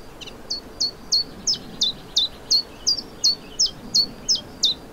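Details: In spring at the Vilaine estuary, Brittany, on 29 May 2023, a common chiffchaff sings thirteen sharp, high notes in quick, regular succession, see-sawing between two pitches, clear over faint background noise.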